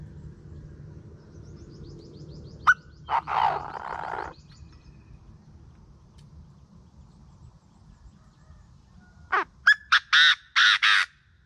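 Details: Chinese francolin calling in the morning, a recording kept as a decoy call: a short raspy phrase, then a loud, harsh, grating run of about six quick notes over a low steady hum.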